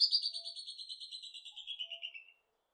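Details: Northern hawk-cuckoo series of about fifteen quick pulsed notes sliding steadily downward in pitch and fading away, ending in silence.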